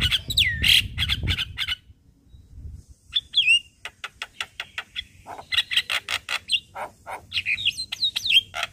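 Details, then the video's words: A Javan myna, recorded in the morning, gives a varied, chattering song: harsh clicks and rapid staccato notes mixed with swooping whistles, with a brief low rumble at the start. "Kasi pancingan Suara Jalak Kebo"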